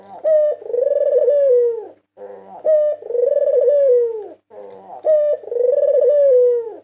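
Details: Melodious song of a 2022 national-champion white Barbary dove, recorded indoors as a lure: steady low cooing, each phrase a short opening note and a long rolling, descending coo, repeated three times roughly every two and a half seconds.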